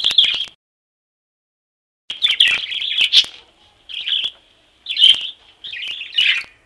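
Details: Loose, free-flying budgerigars chatter in bright, scratchy warbles and chirps around the upper-middle register, coming in bursts of a second or so with short pauses between.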